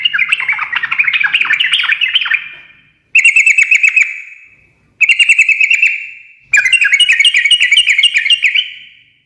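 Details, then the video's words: Sooty-headed bulbul singing ngekek garuda, meant to make other birds answer: a long tumbling warble, two short bursts of fast even trills, then a final extended chattering run. "kicau suara trucukan gacor ngekek garuda menjadikan burung nyaut seketika"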